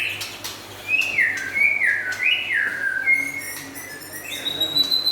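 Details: White-rumped shama, described as local and forest birds, delivering pure whistled phrases that rise and dip in short waves, ending on a long high steady whistle.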